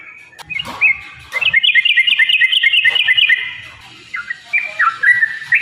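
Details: Yellow-vented bulbul giving a long fighting song meant to provoke other birds into singing; bright bubbling phrases of rapid repeated notes stepping between two pitches, with a pause and a later burst of dipping whistles.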